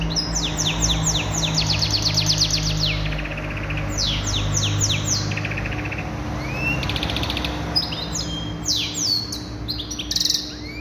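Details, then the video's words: Canary singing a lovely maqnin-style song: long rapid trills of repeated high notes and sweeping slurs, over a steady low hum and background noise. "كناري يغني مقنين روعة"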